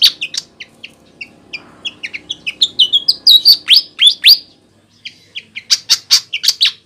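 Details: Energetic flycatcher calling, used as a lure for wild birds: a steady stream of short high chirps building into loud, rapid downward-swept notes, a short gap, then another quick series of sharp chirps.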